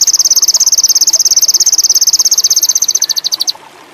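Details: Ruby-cheeked sunbird (sogon indigo), a lure for birds in high breeding condition, delivering a fast, steady, very high trill that loosens and fades out after about three and a half seconds.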